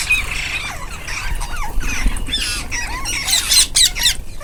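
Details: Group of rose-ringed parakeets feeding together, a steady chatter of shrill, scratchy squawks and short upswept screeches from several birds, with brief rustling bursts toward the end.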